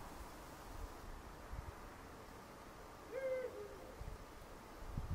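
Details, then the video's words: A single brief tonal hoot from a Eurasian eagle-owl, captured with a Fujifilm X-T4, sounds a little past the three-second mark after a stretch of low rumbling background noise; a few soft knocks follow near the end. "Der Ruf des Uhus"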